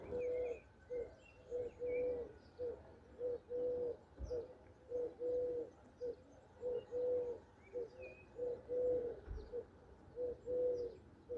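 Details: Mourning doves cooing on a spring morning in Andalusia, Southern Spain, among wildflowers in bloom: soft, low, steady tonal coos repeated in a quick even series about every half second, with faint songbird chirps above.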